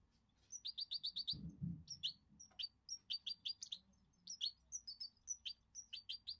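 A goldfinch mule sings fast, bright twittering phrases of high, repeated chirps and short trills.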